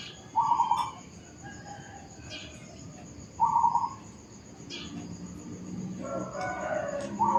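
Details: In a residential housing complex, a zebra dove gives brief trilled coo bursts, two clear phrases a few seconds apart and a third starting at the end, amid faint clicks and other soft bird calls.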